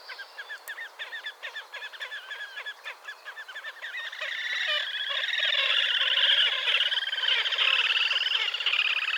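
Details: Wild Slavonian grebe calling at Gavieze, Latvia, in May 2024: rapid, regularly pulsed squealing trills that swell after a few seconds into a dense, loud, continuous chatter.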